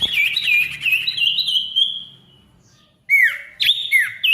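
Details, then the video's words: Ashy tailorbird, song meant to get silent tailorbirds singing: a rapid series of rolling whistled notes fades out, then after a silence come three loud, separate downslurred whistles. "SIRTU GACOR RIBUT COCOK UNTUK SIRTU MACET BUNYI AGAR GACOR KEMBALI"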